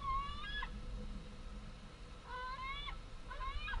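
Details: Fledged white-tailed eagle young back at their home nest on 11 August 2014, begging as adult females bring food. Three rising, harmonic squealing calls, spaced well apart, over low rumbling noise.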